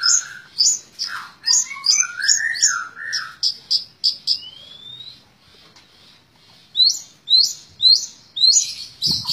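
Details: Long-tailed shrike delivering 'tembak ngebren' song: varied phrases, with sharp high chips, a lower rising-and-falling warbled run, a thin upward-slurred whistle, a pause, then several loud high chips.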